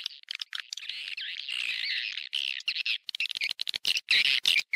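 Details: Somewhat quiet swiftlet lure sound for attracting the birds to nest. Continuous buzzy, warbling chatter with small rising and falling inflections gives way to choppy bursts of sharp chirps.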